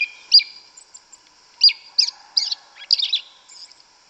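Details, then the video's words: In the forest a yellow-legged thrush gives loose, well-spaced sharp chirps and short squeaky notes, closing with a tight cluster of quick twittering sounds. "Sabiá Una cantando no mato. Lindo canto mateiro da sabiá preta"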